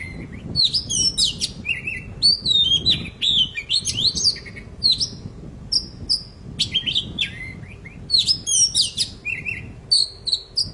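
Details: Very chatty poci, its song played to stir quiet birds into singing: long run of sharp high chirps, twisting whistled phrases and buzzy fragments, repeated in clusters with brief gaps, over a faint low hum.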